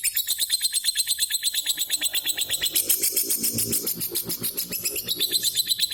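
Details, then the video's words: Daily calling of a pet lovebird, almost nine years old: dense, shrill chirping repeated roughly three times a second, with a brief rougher, noisier stretch in the middle. "Suara Lovebird harian"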